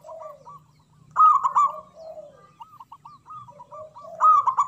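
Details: Zebra dove of a local type with a big voice, perched high: lower drawn-out coos alternating with quick rolling notes higher up, two loud emphatic bursts, and faint chirps from other birds.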